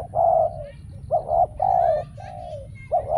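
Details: Caged decoy spotted dove calling during trapping while wild doves stay away: deep, hollow coos in short phrases, some clipped and some drawn out, about every second, with faint high chirps of other birds behind.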